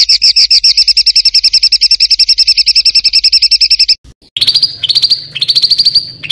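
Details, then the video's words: Songbird on a master recording for tutoring contest birds, with harsh rolling material. A rapid buzzy chatter of about ten notes a second runs for four seconds. After a short pause come rising whistled notes that sweep upward. "BURUNG MASTERAN KASARAN NGEROLL"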